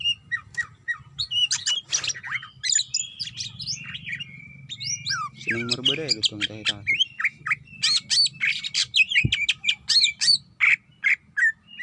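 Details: Female greater green leafbird calling the male while in heat: busy, rapid chirping and slurred whistles at roughly three notes per second. A short, low, voice-like buzzy sound cuts in midway, and a steady low hum runs throughout.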